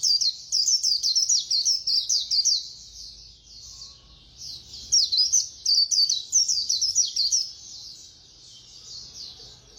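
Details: Fast khuyên líu singing by a white-eye: two energetic runs of quick high twittered notes, each about two to three seconds long, with a quieter pause between and faint chatter trailing off.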